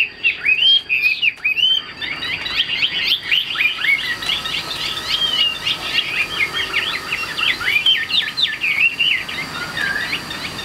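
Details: Captive Chinese hwamei singing at length: clear upslurred whistles at first, then a dense, chattering stream of rapid varied notes and trills that runs almost without a break.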